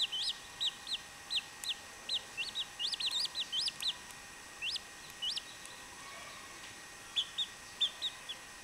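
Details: Quieter peeps from chachalaca chicks, high slurred notes in loose groups, with a lull in the middle before a few scattered calls resume.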